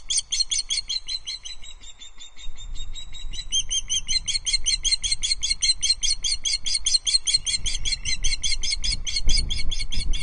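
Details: Osprey at Loch Arkaig, a female on her nest perch, reacting to an intruding osprey, August 2022; a long, unbroken run of rapid, shrill piping notes, about two or three a second, over a low outdoor rumble.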